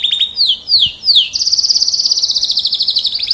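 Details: Canary, an F1 bird, singing: three loud downward-sweeping whistled notes followed by a fast, rapid trill held steady for about two seconds, bright and high-pitched.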